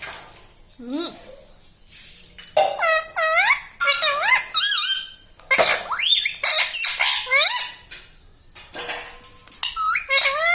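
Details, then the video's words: Pet parrot speaking indoors, with words such as mummy, papa and radhe radhe; a long run of quick, squeaky, rising-falling syllables with brief gaps, voice-like chatter throughout. "parrot talking everything"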